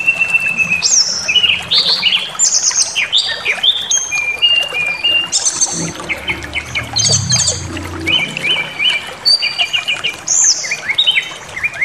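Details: Brown-chested jungle flycatcher song intended to provoke anger and full display: dense varied whistled phrases and repeated chips at shifting pitches, with a low rumbling hum in the middle section.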